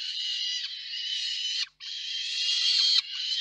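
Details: Female and male peregrine falcon at a nest in Reda, 4 May 2023, food brought and handed over: two long, loud, hoarse screeching wails split by a short gap.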